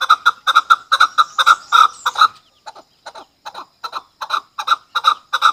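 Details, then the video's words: Chukar partridge, Pakistan's national bird, its calls used by hunters, gives loud clucking chuck notes in rapid bursts, several a second, pausing briefly then resuming in a rolling series. "Chakor ki awaz | hunter Chakor voices"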